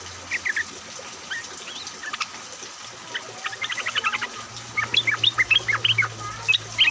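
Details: Yellow-vented bulbuls, a flock recording played as a lure to get other bulbuls singing, made during rain. Short bubbly chirps give way to a fast run of clipped notes, then brisk rising whistled phrases, over steady rain hiss and a low hum.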